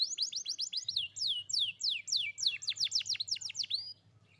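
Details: A young canary sings, meant to prompt a canary that has stopped singing: a loud series of quick downward-swooping whistled notes, roughly four to five per second, rich and clear, with a faint low hum.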